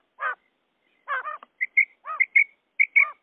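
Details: Quail calls, male and female, used as a hunting lure. Short nasal, buzzy bursts alternate with clear whistled notes, often in pairs, on a silent background.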